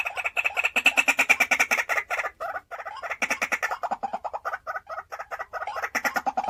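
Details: Caged decoy white-breasted waterhen, three to four years old: a fast, insistent series of sharp, nasal kwak notes, about three per second, in long bursts separated by brief breaks, recorded indoors.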